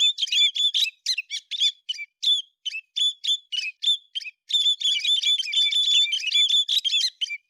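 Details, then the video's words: Bird locally called héc xoan, recorded singing in September 2020: a lively run of high, sharp chirps and whistled notes, broken into short bursts and then a denser stretch of rapid, repeated phrases. "tiếng chim héc xoan tháng 9 2020"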